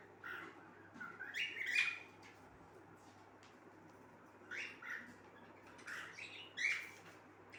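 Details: Pet cockatiel singing softly: scattered short chirps and whistled notes in small clusters, with quieter gaps between them and a steady low background hum.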